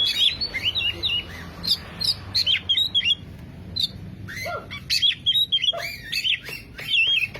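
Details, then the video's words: Oriental magpie-robin lure song to make a silent bird sing: spaced clusters of bright slurred whistles and short chips, with pauses between phrases and a few lower downward notes. "Pancingan kacer macet // PANCINGAN bunyi burung kacer macet."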